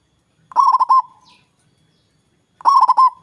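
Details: Zebra dove (local perkutut) with a big voice, singing to draw rivals into answering: two short rolling coo phrases of rapid stuttered notes, about two seconds apart, and a faint high chirp after the first.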